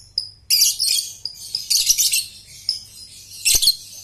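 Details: Young lovebird (balibu) used as a lure recording to teach young birds to trill (ngekek): shrill, high chattering bursts after a brief thin whistle, with harsh noisy phrases separated by short pauses and a faint low hum beneath.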